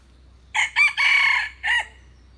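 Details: Loud crow of a red junglefowl in four parts: a short note, a rising hiccup, a drawn-out grating middle note, and a detached downward-curving last syllable. Only a faint low hum sounds behind it.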